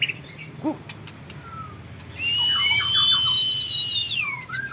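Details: Captive-bred white-rumped shama in Indonesia, champion bloodline, giving a long sustained high trill after a quiet start, with a lower row of quick descending notes beneath and a faint rising slur at the close.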